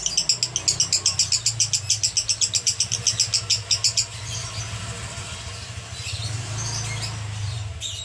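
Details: Male lovebird singing in the konslet style: a fast burst of high, shrill chattering notes, about four per second, for four seconds, then fading into low background rumble and scattered faint chirps.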